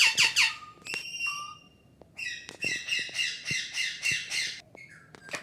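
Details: A pet parrot giving harsh squawks and nasal calls, with a drawn-out rasping stretch in the middle and clicks between phrases.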